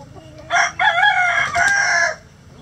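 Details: Rooster crowing in a sunny backyard coop housing many roosters and mixed egg-laying hens: one loud, rich multi-part crow of about one and a half seconds, rising then held, over a faint low hum.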